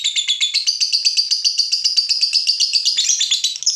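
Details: An agitated lovebird of the fighter type reacting to a rival bird, giving a long, rapid run of high, scratchy chatter notes that barely pause, shifting slightly in pitch near the end.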